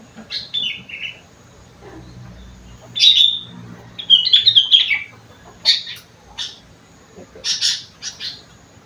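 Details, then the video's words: Kutilang song carrying rengganis and cucak wilis phrases: descending whistled notes, a pause, then bright trilled whistles and several harsh chirp bursts spaced about a second apart. "burung kutilang isian rengganis / cucak wilis"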